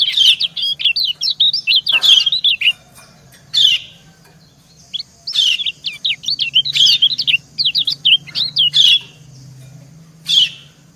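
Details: White-eye female and male answering each other: busy high twittering phrases of slurred chirps, a lull, then more rapid chirp runs and single sharp notes.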